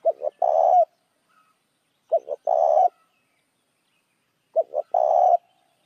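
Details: A spotted dove's call used as a lure for other doves: three phrases, the last after a longer pause, each two clipped coos then an extended grainy coo.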